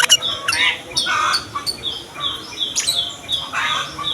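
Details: Sooty-headed bulbul singing in the morning, used to coax young males and females and reluctant singers into song; short bubbly, warbled phrases rise and fall, separated by brief gaps, over a steady high ticking from other birds.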